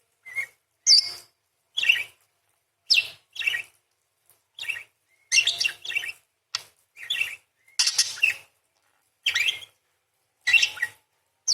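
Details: A parakeet sings a steady series of quick, scratchy chirps and short rising squeaks, about one note per half second, each brief and high, with clean silence between.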